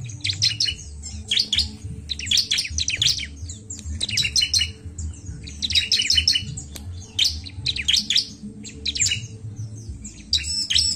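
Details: Rapid, high-pitched chattering song of a bar-winged prinia, used to stimulate birds: repeated clusters of sharp chirps and buzzy notes about every second, over a low droning hum.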